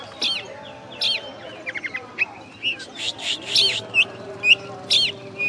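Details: Oriental magpie-robin (kacer), first-prize contest winner, West Kalimantan, Indonesia, said to be master-tutored: looping, hooked whistles repeated roughly every second, broken by a quick stuttering series of clicks and buzzy notes.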